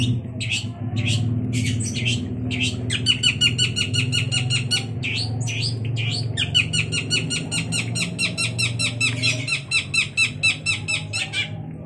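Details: Long-tailed shrike singing actively: a dense run of harsh, rapid scratchy notes, broken in its first seconds, then a nearly continuous chattering stream with a steady low hum underneath.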